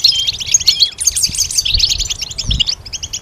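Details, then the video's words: Goldfinch song for training songbirds to sing: a fast, continuous twittering of high tinkling notes, short buzzy trills and thin upward whistles, with a faint low rumble underneath. "Goldfinch: How to raise it and train it to sing with strong stimulation"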